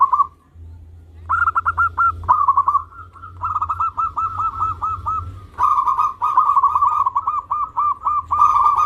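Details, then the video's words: Local zebra doves singing energetically: dense, overlapping cooing trills and rolling repeated notes run almost without pause, over a steady low hum. "Perkutut Lokal Gacor"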